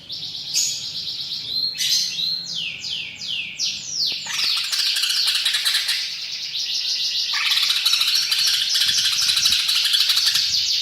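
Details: Greater green leafbird (cucak ijo) singing hard with mimicked phrases: a string of sharp descending sweeping whistles, then a long, fast, continuous high trilled chatter.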